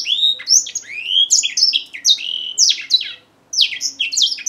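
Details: Grey singing finch from Africa delivering a lively warbling song: rising whistles followed by quick descending slurred notes and buzzy trills in dense phrases, one short pause near the end, otherwise steady singing.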